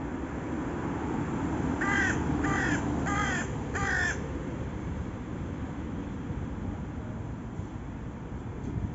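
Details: Raven calling: four harsh, hoarse caws in quick even succession, then quiet, over constant broad wind-like noise.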